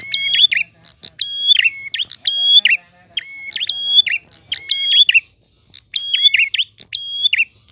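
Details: Lively prinia song in the 'gacor ngalun' manner, clear-toned: about eight phrases of click, long level whistle with a lower companion note and a falling twist, one short silent break midway, faint low background hum.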